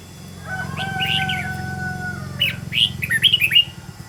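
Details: Red-whiskered bulbul song used to train a bird to sing, partly masked: a low droning hum with long steady tones under the opening warble, then a clearer run of sharp, quick whistled notes.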